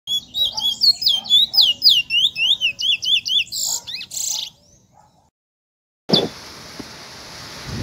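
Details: Trinidad bullfinch singing in the afternoon: a fast run of bright whistled and slurred notes, about four per second, for over four seconds, then a pause and a burst of hissing noise.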